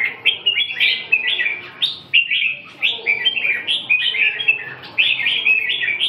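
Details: Chattering song of a red-whiskered bulbul, rapid slurred whistles grouped into brief phrases separated by tiny gaps, pitch wavering up and down in a continuous, cheerful stream.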